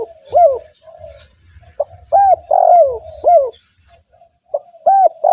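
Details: Spotted dove, a lure for wild doves, giving loud arched coos with a long drawn middle note and a soft purring tail, phrases spaced by short pauses; faint bird twitters above.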